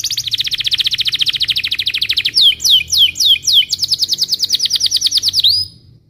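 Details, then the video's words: Belgian canary singing in the morning as a lure for young learners: a long rapid pulsing trill, then sharp descending chip notes in quick series, and a final clear whistle before silence. "Kenari gacor Cuit cuit NGEROL di pagi hari, Ampuh untuk Pancingan kenari paud belajar Bunyi"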